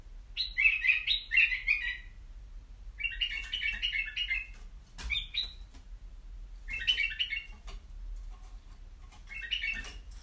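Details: Caged white-eared bulbul singing short bursts of bright, bubbly, warbled phrases, about five in ten seconds with brief pauses between, over faint low background hum.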